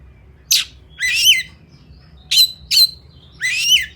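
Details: Oriental magpie-robin of the fighter type: sharp single squawks alternate with longer harsh, rising, buzzy phrases, spaced about a second apart, over a soft steady low hum.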